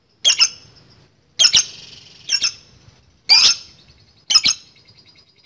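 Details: Lovebird chatter meant to goad rival birds into replying: sharp high squawks in paired bursts about once a second, each trailing into a thin buzzy ringing tail.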